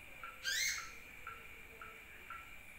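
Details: Sunbird; lure call; played as a lure to attract other birds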